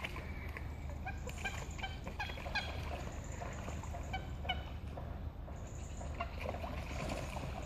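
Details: Pair of common moorhens locked in a serious fight on Heslington West lakes; repeated throaty, clucking notes come in irregular clusters across the stretch, backed by a steady low rumble of ambient noise.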